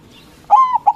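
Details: Local white zebra dove in full loud song, meant to provoke rival doves to reply. One long, smooth cooing note that sags slightly at the end, followed by a short clipped coo.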